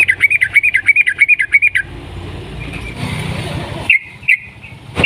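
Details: Sooty-headed bulbul lure song meant to spur other bulbuls to sing: a fast string of bright bubbly notes for nearly two seconds, then a pause with low rumbling noise and a few separate sharp notes.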